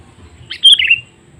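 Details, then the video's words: Sooty-headed bulbul lure call for attracting wild birds: a single loud, clear phrase of high slurred notes dropping into rolling lower ones, over a faint low background hum. "Suara Panggilan Kutilang Memanggil Burung Liar"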